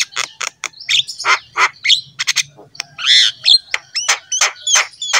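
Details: Energetic black-winged myna song for training pet mynas: sharp grating chirps and broad harsh bursts, a drawn-out raspy squawk near the middle, then clipped rising whistles in quick succession.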